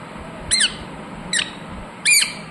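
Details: Ringneck parrot calling with three harsh, buzzy squawks, each short and loud with a rasping, ringing tone, spaced unevenly over a couple of seconds against a faint indoor background hum.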